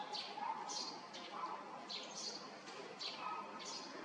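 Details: A male blue rock thrush on a morning of 17 May 2023 at Yanagishima coast, Chigasaki, Kanagawa, Japan, gives love calls while brushing bugs away: harsh, scratchy notes about every half second, with softer low tonal notes between.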